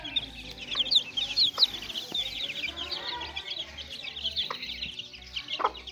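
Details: Chicks playing together, calling in a steady wash of shrill peeps, busiest in the first two seconds, while a faint low pulsing hum runs beneath.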